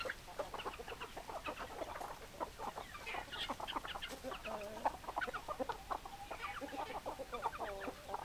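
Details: Dense chatter of a chicken flock: many short clucks and a few longer wavering tonal calls layered together, continuous and lively throughout.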